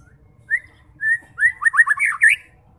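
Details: Short whistled phrase from a white-rumped shama, used to provoke fighter birds: spaced clear whistles building into a quick cluster of looping, warbled notes over a low rumble.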